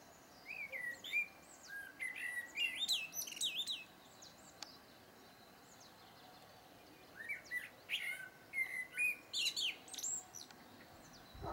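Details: Common blackbird (Turdus merula), song.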